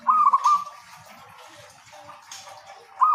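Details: Local zebra dove in frequent song, a lure for zebra doves slow to sing; a stuttering coo phrase opens, followed by hissy background with faint chirps, and another phrase begins at the very end.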